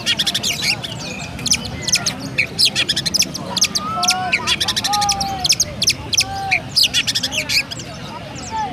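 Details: Oriental magpie-robin, a kept bird in Pemalang, Indonesia, in sustained sparrow-style song: continuous bursts of rapid high chirps with occasional smooth whistled slurs between them.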